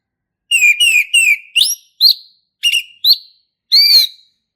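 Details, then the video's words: Male orange-headed thrush from the forest, in lively ngeplong song: a series of clear descending whistles, then sharper upslurred notes spaced in small groups across about four seconds; quiet background. "SUARA ASLI HUTAN ANIS MERAH JANTAN GACOR NGEPLONG"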